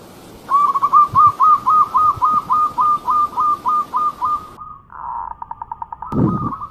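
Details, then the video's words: Local-strain zebra dove, a champion bird in full song: a fast run of about fourteen hooked, cooing notes at an even mid pitch, roughly three to four per second, then a softer trill and a brief low thump. "Bunyi Perkutut Lokal Gacor Sang Juara Utama"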